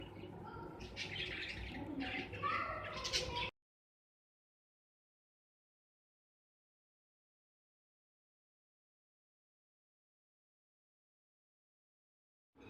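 Budgerigars chatter in a quick burst of warbling chirps and squeaks, then fall silent.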